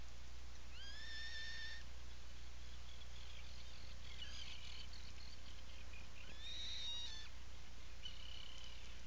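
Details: Atlantic puffin inside its nesting burrow, Seal Island National Wildlife Refuge, Maine, filmed by burrow camera on 17 July 2018 in the afternoon: two rising, overtone-rich wailing calls several seconds apart, with softer broken chirps between them and a steady low hum.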